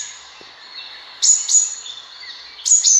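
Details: Sunbird call used to lure birds for hunting: short bursts of piercing high chirps, two close together, then a pause and another pair, over faint steady hiss.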